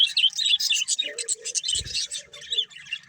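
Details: Chirping from a breeding pair of budgerigars, a fast run of bright, scratchy twittered notes, with a brief low thump near the middle.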